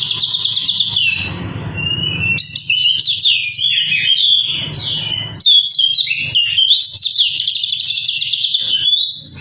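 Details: White-eye singing strongly, bursts of rapid high twittering and sliding whistles, some phrases buzzy and trilled, separated by short quieter gaps with low background hum.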